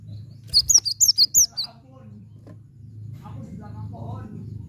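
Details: Cinereous tit song used to prompt a stalled bird to sing: a quick string of six high, bright, slurred whistled notes, followed by low murmuring and a soft hum.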